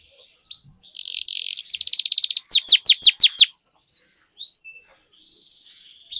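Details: Master recording of a canary for coaxing other canaries into singing: a buzzy note leads into a pulsed trill, then six loud downward-sliding whistles, followed by scattered soft chirps.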